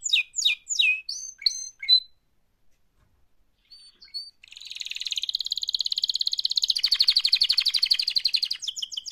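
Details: Canary singing, described as an active mating call: sharp downswept chirps in quick series, a brief pause, then a long buzzy trill of rapid pulses that builds in loudness and ends in high whistled notes.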